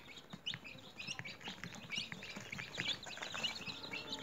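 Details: Newly hatched chickens raised at home in a cage, a crowd of chicks peeping together: dense, overlapping high, thin cheeps, rising and falling, chirping almost without pause.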